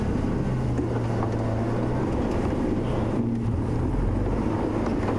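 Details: Loud continuous motor drone and wind buffeting on a sunset safari drive, and no animal calls are heard.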